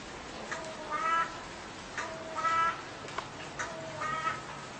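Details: A crow calling, said to repeat its call seven times and then turn its head right and left; three drawn-out, harsh, nasal caws spaced over a second apart, with faint short clicks between them.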